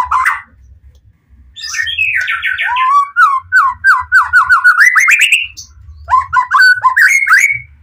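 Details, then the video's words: A caged white-rumped shama sings emotionally to lure other shamas into responding, with rolling, trilled whistles that climb in pitch, sharp clicks, and a short pause before a fresh whistled phrase. "Murai Batu Pastol PTRK BF full emosi ... pancingan murai lain bakalan nyautt.."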